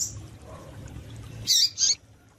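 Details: Female double-collared seedeater call aimed at exciting males: two quick bright high chirps close together after a stretch of low hum.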